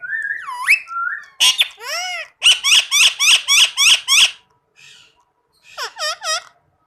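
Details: A green rose-ringed parakeet (Psittacula krameri), a talking parrot, gives a rising whistle, then a fast run of about eight harsh, screechy notes at four per second, ending with three falling squawks.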